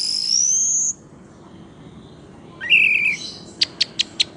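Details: Orange-headed thrush: a long, high, rising whistle, a pause, a buzzy mid-pitched warble, then four crisp, evenly spaced clicking notes.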